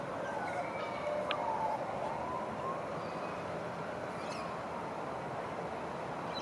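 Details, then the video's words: An Australian magpie (Gymnorhina tibicen) sings on a balcony in East Perth, giving mellow, fluting whistles that slide up and down in long glides, over a steady background hiss. "Caroling Magpie"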